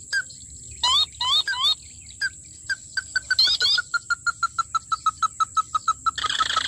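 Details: Sintar api, or tikusan mata merah, during a trapping session: brief high wavering whistles, then a long, fairly regular run of short clipped mid-pitched notes, about three per second, ending in a burst of noise.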